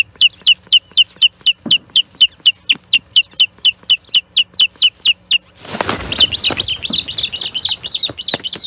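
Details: Osprey at the Charlo Osprey Nest on 21 April 2022, skirmishing with an intruding third osprey: sharp, high chirps repeated steadily about four times a second for over five seconds, then a noisy burst and a denser, overlapping run of calls.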